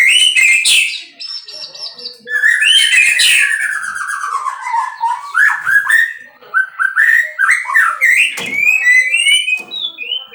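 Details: Rich, varied song of a captive-bred white-rumped shama: rapid loud phrases mixing sliding whistles, downward-swooping notes and chattering trills, delivered almost without a break, in what sounds like a small room.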